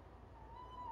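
A tawny owl gives one drawn-out, thin, slightly rising note, almost cat-like, over a low background rumble.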